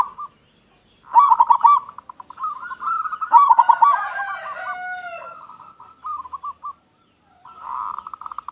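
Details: Local zebra dove calling vigorously, used as a lure for other doves: fast stuttering coo bursts, a harsh drawn-out call with rich overtones, then short pulsed coo phrases.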